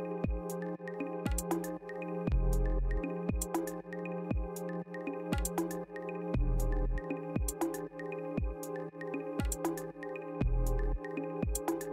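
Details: Electronic music with steady synthesizer chords, a deep bass line and sharp percussive beats, with no animal sounds.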